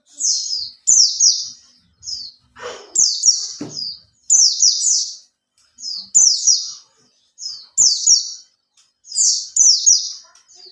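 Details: Caged Oriental white-eye, kept three months and used as a lure, singing loud, very high bursts of rapid descending slurred notes in phrases about every second and a half, with brief pauses and faint clicks between.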